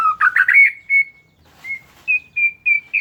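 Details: Oriental magpie-robin song played to rouse a silent bird: a quick rising burst of twittering notes, a pause, then steady clear whistles repeated about three times a second.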